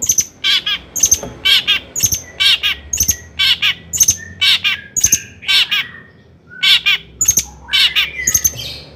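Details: Long-tailed shrike, a lively singing bird, used to provoke other shrikes into excitement; repeated harsh chattering bursts with squeaky notes, roughly one per second, some high thin whistles between.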